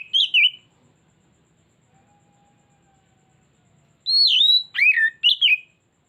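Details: Oriental magpie-robin pancingan lure song: a short whistled flourish at the start, a long quiet gap, then a full phrase of loud sliding whistles rising and falling over a few quick notes.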